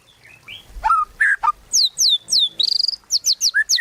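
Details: White-rumped shama, a lure recording used to prompt other shamas to sing: varied whistled notes, then a fast run of steep downward-sweeping high whistles and trills repeated several times a second.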